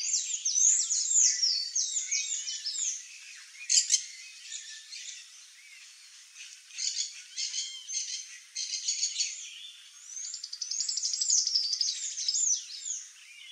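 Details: Wild sayaca tanager in a long stretch of high, squeaky, slurred song. The notes are mixed with sharp clicks and a rapid buzzy trill, and sound steadily over about thirteen seconds.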